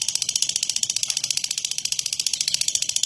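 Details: Lovebird producing a long, coarse ngekek used to provoke other lovebirds into singing; a rapid, grating, buzzy stutter of pulses, about three per second, over a fainter hiss.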